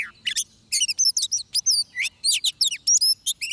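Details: Oriental magpie-robin song recorded at a trapping site: a dense run of bright whistled notes, steep sweeps and clipped chirps delivered in rapid bursts with brief pauses.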